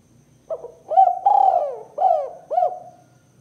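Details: A male Spotted dove coos as a lure call: a short lead note, then a rolling, drawn-out coo and two quick, slightly falling coos, low and mellow, with no other sounds.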